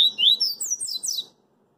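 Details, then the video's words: Double-collared seedeater in the street giving the tail of its song: slurred whistles stepping upward into a rapid, very high twittering run that stops abruptly. "CoLEiro CoringA cantando na Rua"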